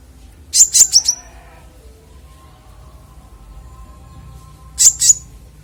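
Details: Konin singing clearly for use as songbird training master: a fast burst of four high sharp chirps, a long pause with a faint steady low tone, then a doubled chirp.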